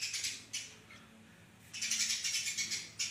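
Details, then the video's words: Sparrow in fast, dense song, used as a training recording for cage birds: rapid, harsh, high chirps repeated about four times a second, in two bursts separated by a pause of about a second. "burung gereja gacor, masteran gereja speed rapet"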